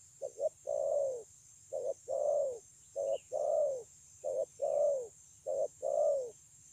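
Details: Spotted dove, a wild-caught bird, singing in the 'thổ âm' style, recorded 9 June 2020 at Kon Long: low cooing phrases, each a short doubled note then a longer falling coo, repeated about every 1.5 seconds. Faint chirps from other birds.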